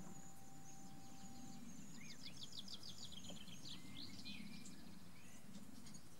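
A short-toed treecreeper sings one brief, high phrase of quick, evenly spaced thin notes ending in a short flourish, over a steady low rumble.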